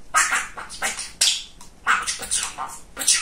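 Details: Chatty pet male budgerigar mimicking speech indoors: short scratchy, bright syllables clustered in rapid bursts, a clear gap near one and a half seconds.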